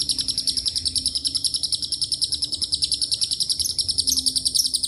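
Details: Long lovebird ngekek carrying cililin and canary phrases, meant to provoke other lovebirds: shrill, fast, pulsing chatter running without pause, slightly uneven rhythm, and a quiet steady hum in the background.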